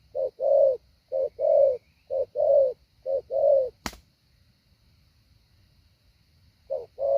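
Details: Spotted dove decoy practising the hạ bổi pattern, four low coo pairs in quick steady rhythm, then a sharp click and nearly three seconds of quiet before the cooing resumes.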